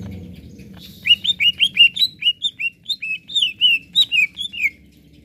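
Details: Greater green leafbird song used to excite other birds: a lively chain of loud whistled slurred notes at a steady quick pace, with high chips above, over a faint low hum.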